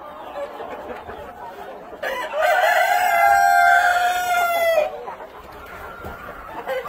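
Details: Black Copper Marans rooster on a hatchery breeding farm: one long drawn-out crow lasting nearly three seconds, strained and level with a drop at the end, amid quieter clucking from other chickens.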